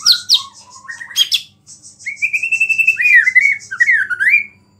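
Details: White-rumped shama singing a song full of small-bird imitations that provokes other shamas: sharp squeaky notes, then a long level whistle breaking into fast warbled, wavering phrases, over a steady high buzzing band and faint hum.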